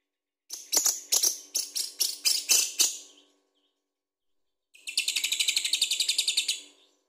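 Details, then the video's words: Lovebird in full chattering song, the kind kept to prompt other birds to sing: a burst of about nine sharp, high, buzzy chirps, a pause, then a faster run of rapid rattling notes. "Lovebird Gacor Bagus buat pancingan"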